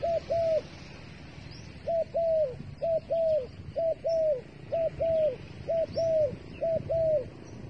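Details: Bait dove cooing steadily in two-part phrases, a brief note followed by a longer, slightly falling coo, each pair about a second apart throughout, faint chirps of other birds in the background.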